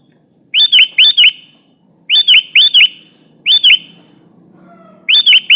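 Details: Sooty-headed bulbul singing to draw an answer from a rival; clusters of two or three rich, liquid chirps, each group following the last after a short gap.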